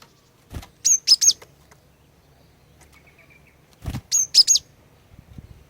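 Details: Female cinereous tit song for luring males: two short phrases of three or four high, piercing whistled notes about three seconds apart, each preceded by a soft knock, over a quiet low hum.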